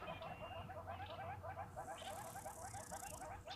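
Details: Hornbills at a waterhole, 4 September 2023, give a fast, steady series of clucking notes, three or four a second, apparently two individuals, possibly display, courtship or bond-strengthening, over a low hum.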